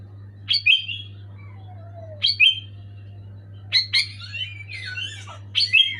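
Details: Sooty-headed bulbul singing loudly and clearly: short bubbly whistled phrases, each a quick downslurred pair of notes, repeated about every one and a half seconds, over a steady low hum.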